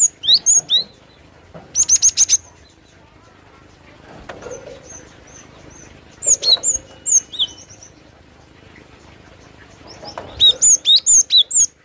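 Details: Cinereous tit, or glatik batu, singing actively with short rapid volleys of piercing, high downslurred whistles, several bursts spaced across the recording with quieter faint twitters between them.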